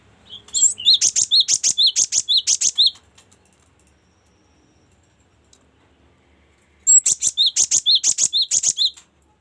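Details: Cinereous tit singing, a variation for tutoring songbirds: two bursts of rapid, evenly repeated sharp high chirps, each about two seconds long, separated by a silent pause of roughly four seconds.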